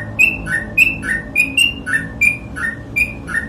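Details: Sooty-headed bulbul in full, vigorous ropel song, quick paired whistles, a higher clear note answered by a lower slurred one, repeating steadily throughout over a low background hum.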